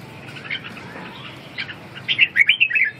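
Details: Red-whiskered bulbul: faint, scattered chirps for two seconds, then a loud run of quick liquid whistled notes rising and falling near the end over a soft background hum.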